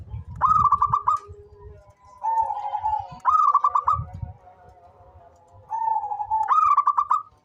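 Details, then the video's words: Local zebra dove that calls actively: three bursts of rapid stuttered coos alternating with steady, level, drawn-out coos, repeated roughly every three seconds, over low thumping background noise. "SUARA perkutut LOKAL gacor cocok buat pancingan rajin bunyi"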